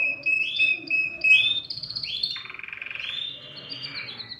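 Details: Canary song meant to stimulate other birds to sing. It opens with clear whistled notes and a rising slur, then breaks into a rapid buzzy trill that fades toward the end.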